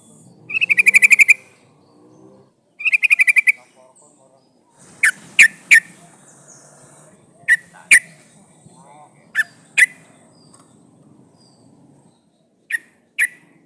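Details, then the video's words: Yellow-vented bulbul in full voice, calling a rival, used as a lure to make other bulbuls answer: two rapid chattering bursts open, then sharp clipped single notes spaced irregularly about every half second to two seconds, over a quiet background. "SUARA trucukan gacor memanggil lawan"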